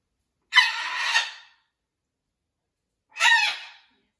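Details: Blue-and-gold macaw in a rescue sanctuary, joining a new flock, utters two rough, drawn-out squawks, the first about a second long, the second shorter, separated by a pause of over a second.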